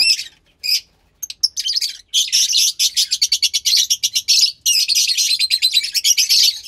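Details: Captive Fischer's lovebird chick about 15 days old, offspring of a lutino and pastel blue pair, making rapid raspy high chirps in fast pulsed trains, nearly continuous after the first two seconds, with short gaps.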